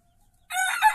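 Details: A small rooster in a henhouse bursts into a crow after a half-second of quiet: a loud, harsh, rich-toned note held steady to the end.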